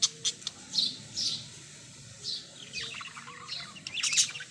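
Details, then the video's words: A parrot gives a few hoarse, breathy chirps spaced apart, then a jumble of quicker, higher squeaky notes toward the end. "beautiful parrots | birds | chirping"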